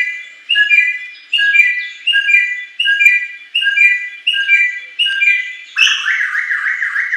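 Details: Wild-caught forest bare-throated whistler giving loud, ringing whistled phrases, each a quick stepped rising-falling figure, repeated about every three-quarters of a second, ending in a rapid warbled run.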